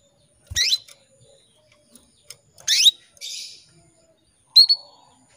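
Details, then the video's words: Female canary calling to a male, used as a lure to make the male sing: three sharp, high chirps sweeping downward, spaced over five seconds, one followed by a brief buzzy rasp; quiet background. "PANCINGAN KENARI BETINA MEMANGGIL JANTAN"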